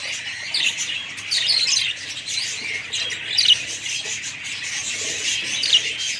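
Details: Budgies warble and chirp continuously in high, squeaky tones, with a few clear whistled notes rising above the flock's steady chatter.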